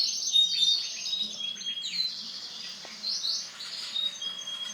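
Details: Silver male canary in full song: rapid runs of high sweeping syllables and quick trills flowing almost without break, with bright whistled notes mixed in and a faint low background hum.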